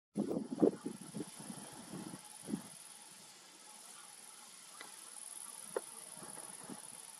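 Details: European turtle dove recorded at Rahachy on 12 July 2019; low, throaty purring pulses cluster in the first two and a half seconds, then fade away, with a steady high insect chirring running throughout.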